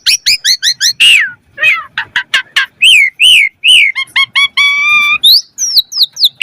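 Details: Asian pied starling singing a varied 'mompa' song, played as a training lure to get other starlings singing: rapid repeated whistled chirps, then slurred descending whistles, harsh buzzy notes, and steady ringing tonal notes with rich overtones.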